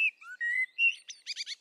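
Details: A Common Blackbird, an enthusiastic singer often from an exposed perch, gives one mellow, fluty phrase of several whistled notes sliding up and down, ending in a brief squeaky twitter, then pauses; no other sounds.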